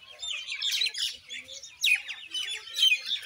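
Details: Indian myna giving a busy jumble of rasping chirps and thin whistles, about one burst each second, the strongest outburst coming midway, with softer low clucks in the background.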